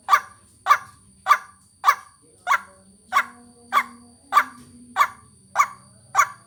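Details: White-breasted waterhen lure call for bird trapping and vocal training: loud, short, harsh notes repeated steadily about every 0.6 seconds, eleven in all, over a faint low hum and a thin high whine.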